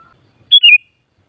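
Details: Single phrase from a sooty-headed bulbul (kutilang), meant to stir other kutilang to sing back: a bright high whistle sliding down into a warbled lower note, lasting under half a second, preceded by a soft distant tone.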